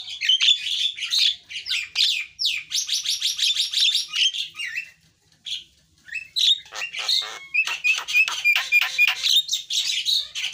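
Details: Javan myna in a dense, continuous chatter of scratchy trills, whistles and harsh notes, a brief lull midway, then rapid repeated rasps and a sliding whistle.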